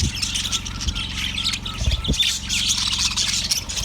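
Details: Yellow budgie on February 18, 2024 making a run of scratchy, buzzing high chirps and twittering notes, with a low mechanical hum and a couple of soft thuds.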